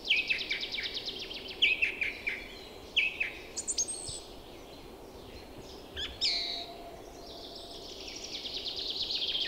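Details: Spring chorus of just-arrived birds on a clear April day in woodland and meadows near a fast river. It opens with a dry, fast-pulsed trill, then scattered sharp chips and a long, buzzy high phrase at the end.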